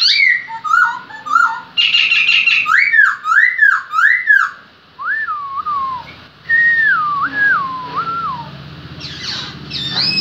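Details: A Black-throated laughingthrush from Lai Châu sings loud, mellow whistles that swoop up and down in linked phrases, broken by quick, high chattering notes.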